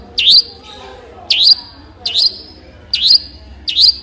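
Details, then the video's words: Long-tailed shrike repeating a piercing, high, hooked note that dips then rises, spaced roughly once a second, with faint lower murmurs between. "Long Tailed Shrike With Beautiful Sound"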